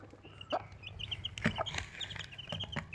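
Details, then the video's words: A Desi mother hen with four chicks gives a few short, low clucks while the chicks peep brightly and repeatedly around her. "Desi Chicken 1 Mother Chicken 4 Baby Chicks"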